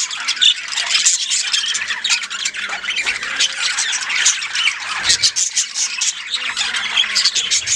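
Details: A colony of caged pet budgerigars chatters nonstop in dense, scratchy warbles and sharp chirps.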